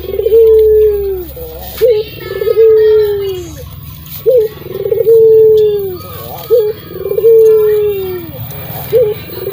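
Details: Barbary dove of a local strain, described as a frequent singer, repeats its coo about every two seconds indoors. A brief rising hook is followed by a long, even, slightly falling hum, with clean pauses between.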